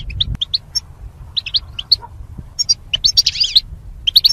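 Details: High, thin goldfinch chirps from a caged bird kept for pairing and song training, scattered at first, then building into a dense buzzy twittering trill before sharp closing notes.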